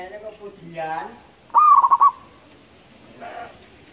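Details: Local wild perkutut, the zebra dove, singing as a lure call: a single rolling phrase of rapid staccato coo notes after a rising start, preceded and followed by softer, blurred harmonic sounds in the background.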